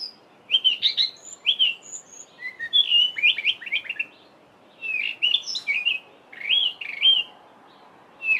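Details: Male Cape robin-chat in a garden on a July mid-winter morning, singing an embellished song full of mimicry of other local birds: varied whistled phrases, trills and high squeaky notes delivered in quick bursts with short gaps.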